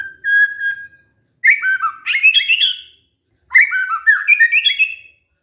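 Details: White-rumped shama lure song to make other shamas answer: a single level whistle followed by two long rich phrases of cascading, rising and falling whistled notes separated by a short gap.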